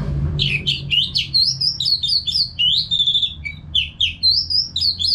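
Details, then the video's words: Continuous rich song from a caged orange-headed thrush used to train other birds: a dense stream of varied whistled and slurred phrases, roughly four notes per second, with no breaks. "ANIS MERAH GACOR TIADA HENTI TANPA NGETEM BAGUS BUAT TERAPI BURUNG AGAR IKUT NGEPLONG NYAUT"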